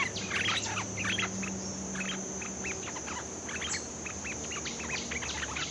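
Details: Newly caught bulbul being trained, singing a busy stream of quick, jumbled notes, with short slurred and rising notes tumbling one after another, over a continuous high tone and low background hum.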